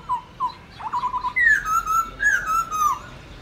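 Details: Training recording of black-throated laughingthrush wild-style song (giọng rừng): a few short whistled notes, a quick stutter, then long slurred whistles falling and levelling, repeated twice.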